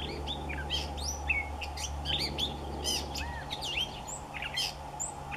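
A Gray Catbird sings a rambling, nonstop jumble of squeaky chirps, slurred whistles and scratchy notes, with a steady low hum underneath.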